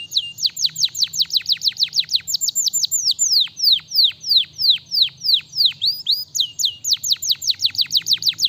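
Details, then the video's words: Continuous canary song of loud, evenly repeated downward-swept whistles, roughly three per second, with brief changes in pace and higher faint notes above. "qual canário aguenta o som deste canário?"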